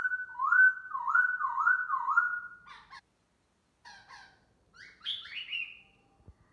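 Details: Morning song of a black laughingthrush while dancing, a run of four repeated rolling whistles followed by short scratchy notes and a higher descending phrase.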